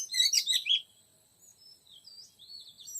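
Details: Oriental magpie-robin sound used to lure a young wild male: a loud burst of harsh, scratchy chirps, then softer thin whistles that rise and fall through the rest.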